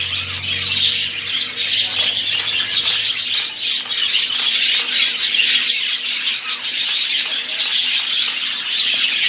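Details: Several budgerigars singing, a loud, unbroken chorus of scratchy chirps, squeaks and squawks, with a low hum in the first seconds.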